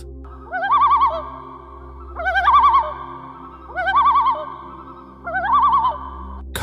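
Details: A loon gives four quavering, laugh-like tremolo calls, each rising then wavering rapidly, about every one and a half seconds, over a steady low hum; presented as a sound heard around 6 a.m.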